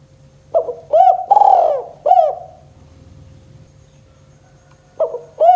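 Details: Spotted dove (tekukur) in the kuk 2 style, used as a lure to stir silent doves into calling: a soft opening note, then three rounded, arching coos, with a new phrase starting about four seconds later over a faint steady hum.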